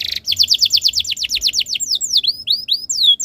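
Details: A canary sings as a tutor for other canaries: a string of about a dozen rapid downslurred whistles, then slower, varied rising and falling whistled notes.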